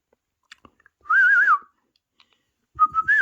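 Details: Pet parrot indoors, watching parrot videos on a mobile phone, gives a loud wavering whistled note that rises and falls several times, followed by a shorter level whistle after a pause with soft clicks.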